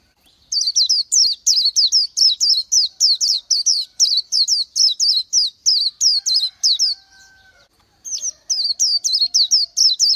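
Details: An Oriental white-eye delivers a long run of bright, thin, downward-sweeping chips, about three each second, pausing once before starting another fast series.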